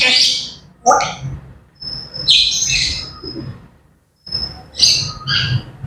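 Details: Grey parrots calling in the morning with high, sharp whistles and squeaky chirps, interspersed with rasping squawks and short pauses.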